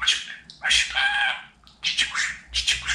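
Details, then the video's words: Pet budgerigar talking indoors: a sharp chirp, then a long nasal word-like phrase, a short squeak and further raspy chatter. "Babacık Aşkım Cici kuş Demeyen Konuşmayan Muhabbet Kuşu kalmasın | dinlet konuşsun"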